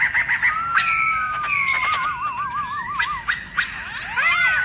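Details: Black-throated laughingthrush forest-style song, used to excite other laughingthrushes: long descending whistles, a fast wavering trill, sharp clicks and a final burst of looping whistled notes.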